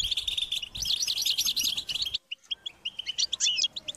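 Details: European goldfinch chicks beg their parents for food: loud, rolling twittered chirps for two seconds, a short silence, then scattered sharp chirps and a quick trill.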